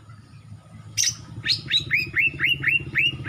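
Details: Greater green leafbird, a young Kalimantan male that has just lost its juvenile spotting and shows black on the throat, in full song: a harsh opening note, then a rapid run of curved, slurred whistles about four per second.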